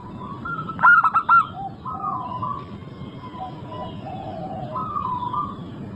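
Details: Local zebra dove in full song: a quick, loud four-note rolling coo early on, followed by several soft, flat cooing notes from more distant birds.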